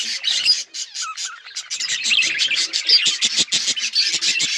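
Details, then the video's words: Budgies chattering on February 18, 2024, a flock's busy high-pitched twitter of quick chirps and squawks, roughly three notes a second, with a few thin whistled notes cutting through. "budgies bird birds chirping sounds"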